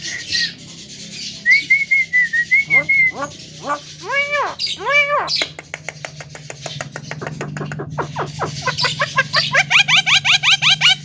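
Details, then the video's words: Male Javan myna said to be able to talk, giving a whistled warble, then arched nasal harmonic notes and a fast run of clicking, rattling pulses building to dense repeated chatter. "OCEHAN BURUNG JALAK KEBO JANTAN BISA BICARA"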